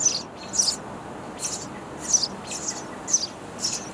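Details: High, breathy chirps from baby sparrows begging in a bird house nest, spaced roughly half a second apart over quiet background noise, as parents bring insects.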